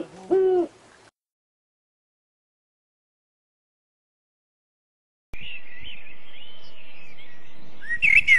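An owl gives one brief, mid-pitched hoot. After a silence, a higher, warbling bird song and a few sharp chirps follow.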